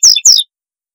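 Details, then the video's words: Two brief, bright descending slurred whistles from a double-collared seedeater, part of a tui tui zel zel training song for young birds, each note sliding quickly downward. "CANTO TUI TUI ZEL ZEL PARA ENCARTE DE COLEIROS E PAPACAPIM CANTO FIBRA"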